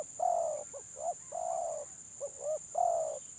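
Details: Spotted dove of the village gelang patah type in 'gagap' stuttering song: a mellow sustained coo, two jerky short notes, another long coo, more hiccups and a final coo, with a faint steady high tone.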